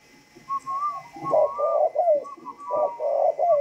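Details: Tame spotted dove of the northern 'thunder voice' style, Vietnam, utters a run of deep, resonant rolling coos in quick succession, with a faint, high whistled note drifting above them.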